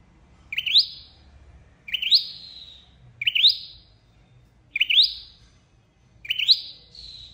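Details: Trapping-lure call of a flowerpecker, five bright upward-flicking notes with thin fading tails, spaced roughly every one and a half seconds over quiet background.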